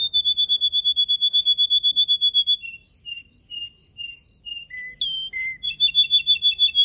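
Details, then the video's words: Training song of a caged canary: a fast even whistled trill, then alternating high and low paired notes, a sharp descending note, and a rapid closing trill. "Canary singing training"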